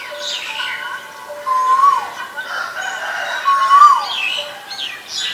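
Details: Two rising whistled notes from an Asian koel, each sliding up and then falling away, spaced about two seconds apart, with other birds' swooping calls around them.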